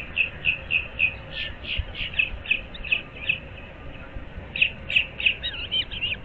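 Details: Osprey calling at a nest of a breeding pair in Naples, Florida, early morning on 15 April 2024: rapid series of sharp, whistled chirps repeated about three per second, a pause, then another burst, over steady background hiss.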